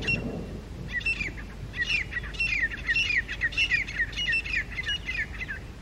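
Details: Grey francolins calling loudly from high rocks in early October 2022 morning as two wild groups challenge each other for territory: continuous rhythmic chorus of harsh, rising, repeated notes, several birds overlapping, with a brief low thump at the start.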